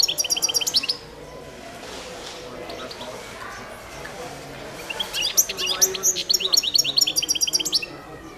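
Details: Balkan goldfinch, carduelis balcanica, recorded as a 2022 World Championship song entry: a burst of fast, high tinkling trills, a quiet gap, then a long liquid twittering run with buzzy repeated notes.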